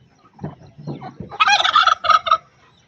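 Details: Angry turkey hen in Buner, Khyber Pakhtunkhwa: a few soft low clucks, then a loud rattling gobble burst broken into two parts.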